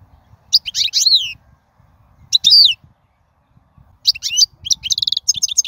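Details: Wild European goldfinch singing, the song played to teach young birds: bursts of bright, twittering high notes with swooping slurs, separated by pauses, ending in a quick run of rapid chips.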